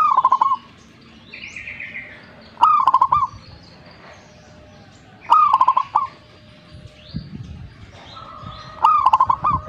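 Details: Zebra dove singing vigorously: a burst of sharp staccato clicks runs into a rolling, bubbling coo. The phrase repeats about every three seconds, with faint background noise between phrases.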